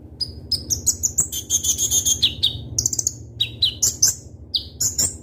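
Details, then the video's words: Konin, the kolibri ninja or Van Hasselt's sunbird, delivering a busy, sharp song of tightly packed high chips and buzzy trills, with piercing downward-sliding whistles in quick succession, over a faint low background hum. "Suara Burung Kolibri Ninja Konin Gacor Full Isian Tembakan Tajam"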